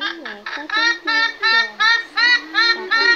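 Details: Purple swamphen (male) giving a lure call used in August 2023 migration-season trapping, day and night: loud, nasal, harmonic-rich honking notes, each slightly falling, repeated about three times a second in a steady run.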